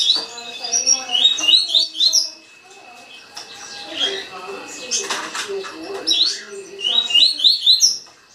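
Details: Rapid tuí tuí song from a green-winged saltator: quick, high whistled runs at the start and end, with lower murmuring sounds in between.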